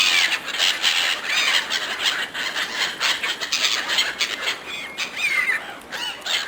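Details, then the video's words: A flock of seagulls fighting over food offered by hand, loud shrill squealing cries overlapping constantly, with some rising and falling wails standing out near the end. "Seagulls fighting over food, Seagulls calling"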